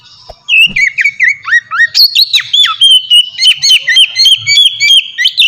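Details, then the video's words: Oriental magpie-robin singing in an open, relaxed style used as a lure to get other magpie-robins singing: a rich run of whistled notes, some rising and some dropping, interleaved with sharp vertical clicks, delivered rapidly and continuously after a brief quiet start. "suara burung kacer ngeplong merdu sangat ampuh buat pancingan kacer bahan bikin cepat gacor"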